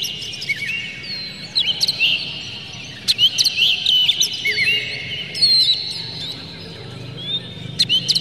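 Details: Oriental magpie-robin, tail open and agitated, singing a filler-rich song played to make other magpie-robins sing. Mixed whistles, slurred notes and sharp chips flow in uneven phrases, with a light background hiss.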